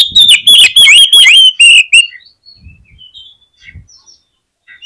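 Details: Oriental magpie-robin song played to make other birds sing: a dense two-second burst of loud whistled, warbling notes with upward sweeps, then faint scattered chirps trailing off into near silence.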